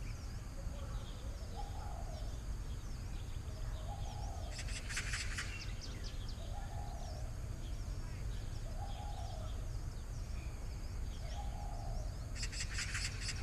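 A common kingfisher gives two short bursts of shrill, rapid high piping calls, against steady low wind rumble and a soft, low call repeating every two seconds.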